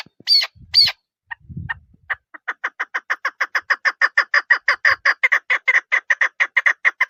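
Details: Calling female chukar partridge: after two higher squeaky notes and a soft thump, a long accelerating series of crisp, repeated chuk clucks builds in loudness and runs for about five seconds.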